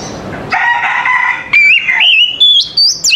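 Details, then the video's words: Oriental magpie-robin (kacer) in the morning: a buzzy harsh note followed by a series of rising whistled notes climbing higher, each short and bright. "TERAPI KACER PAGI HARI"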